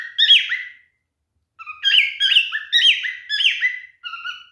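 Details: Male cockatiel mating song: one whistled phrase, a gap of over half a second, then a quick series of rising and falling whistles ending in a softer note.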